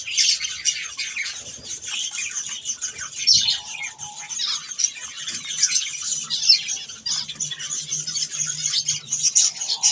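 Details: Budgies at their softfood produce constant busy chirping and rasping warbled chatter, steady in loudness, with a few brief plain whistles mixed in.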